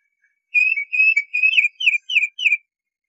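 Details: Tufted titmouse giving a steady series of six clear whistled notes, each a quick downward slur repeated about every third of a second, in a quiet setting.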